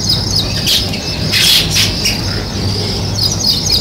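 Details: Sparrows chirping outdoors: short, bright chirps in quick irregular bursts over a dense, hissing chorus of many birds, with a soft low hum underneath.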